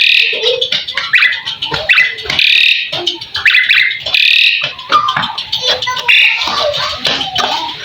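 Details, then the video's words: Asian pied starling song from a full tutor recording meant to spark replies: continuous harsh, grating chatter with short whistled inflections, running almost without pause. "Suara burung jalak suren , full masteran bikin ikutan nyaut"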